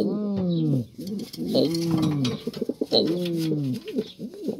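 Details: A racing pigeon utters three drawn-out, resonant coos that hold steady and then fall, each about a second long. Clicks and shuffling noises fill the pauses.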